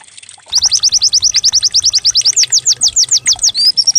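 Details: Lure song of a white-eye to make a bird sing: rapid, loud, high notes repeated about five per second, slowing slightly, ending in a short sustained whistle.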